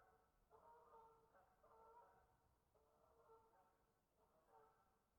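Geese give nasal, harmonic honks in overlapping bursts about every second or so, several birds calling together against a low background rumble.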